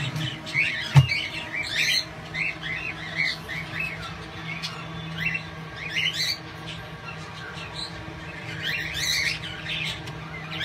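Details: A cockatiel in a photography cage with a rotating perch, during a competition photoshoot, gives chirps and squawks: short rising and falling notes repeated over a steady low hum.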